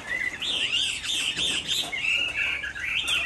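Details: Chinese hwamei, a kept bird offered for rearing in Hải Phòng, Vietnam, singing on a rainy afternoon: continuous rich whistled phrases sliding up and down, fluid melodic warbling with brief trills, running without pause through the clip.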